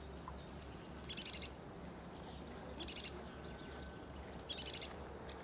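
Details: Insistent begging of a young checkered woodpecker in Buenos Aires' Costanera Sur reserve, February 2022, while an adult seeks food for it. High, rattling bursts of rapid notes repeat roughly every one and a half to two seconds against a constant low hum.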